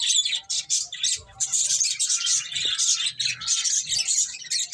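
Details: Eating finches give a continuous chorus of sharp, high chirps and twitters, packed closely with only short dips in loudness, plus a faint tap in the background.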